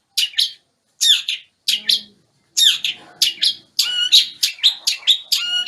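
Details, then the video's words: Moulting long-tailed shrike from Banyuwangi, Indonesia, in full song. High, harsh, chattering note clusters come in short bursts separated by pauses, then turn into a quicker, denser series of scratchy notes. "Burung Cendet Banyuwangi Full Berkicau Saat Mabung"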